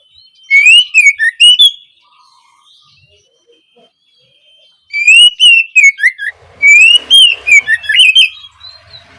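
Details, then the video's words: Oriental magpie-robin song as tutor material for young birds: loud bursts of rapid whistled warbles with sharp ticks, a long quiet gap, then two more lively phrases in quick succession. "Awalan suara Kacer bahan belajar gacor, cocok untuk memancing Kacer trotolan agar lekas nyaut gacor"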